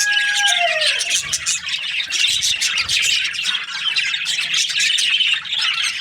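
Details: A morning flock of budgies chirps busily; a falling whistled tone opens, then dense, scratchy high twittering and warbling continues throughout.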